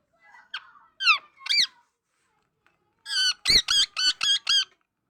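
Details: Talking parrot chattering: a few rising squeaky notes, a pause, then a quick run of six bright, harmonically rich, wavering notes about five per second.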